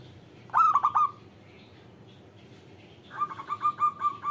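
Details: Zebra dove, a local bird, delivers a brief four-note stuttering coo, then after a pause a longer run of evenly spaced, bubbling cooing notes.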